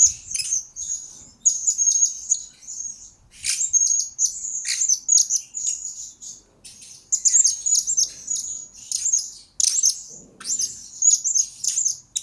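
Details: Blue-crowned hanging parrot, lure and master recording for training: nearly continuous shrill, high-pitched tweeting and trilled chirps in dense bursts, only brief gaps between phrases.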